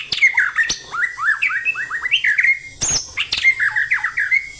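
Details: Captive white-rumped shama, a well-kept cage bird, singing in an energetic, insistent fighting style: rapid series of short down-slurred whistled notes around mid pitch, interrupted by sharp high clicks and loud harsh bursts.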